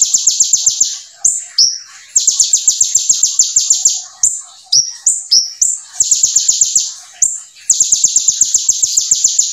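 Brown-throated sunbird pouring out fast, tightly packed bursts of high, sharp notes, broken by a few quick rising whistles.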